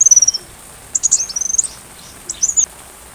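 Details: Sunbird song recorded as training material for a white-rumped shama: very high thin whistled notes and short twittering bursts in three brief phrases, with a faint patter of rain behind.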